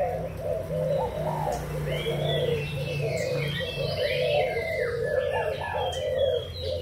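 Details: Captive young spotted doves of Malaysian and Thai stock, recorded 24 June 2021; many low, soft coos overlap in a continuous rolling chorus, with scattered higher chirps and twittering from other small birds above.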